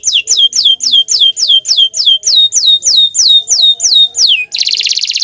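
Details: Bottle-green canary singing a fast run of repeated slurred notes, each sweeping down and levelling off, about three per second, then ending in a dense buzzy rattle.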